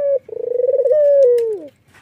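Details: White, red-eyed Barbary dove, nodding as it gives its laughing call: a brief steady note, then a rapid pulsed rolling coo that smooths into a sustained tone and slides downward at the end; quiet indoor background.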